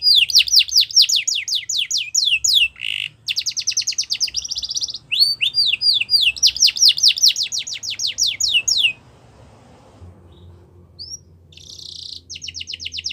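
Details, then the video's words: Yorkshire canary song used for canary training: rapid trills of falling whistled notes broken by short buzzy rolls, several phrases in quick succession, then a pause before a final buzzy roll. "Yorkshire Canary Song"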